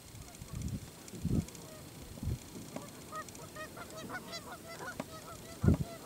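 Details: A Canada goose at Kellys Slough NWR, North Dakota, on 6 April 2013, signals disgust at a videographer who came too close, giving a run of nasal, two-toned honks in quick succession over low thumps and wind rumble.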